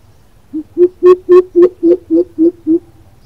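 A greater coucal gives a deep, hollow series of nine booming hoots, evenly paced about four per second, with little else heard.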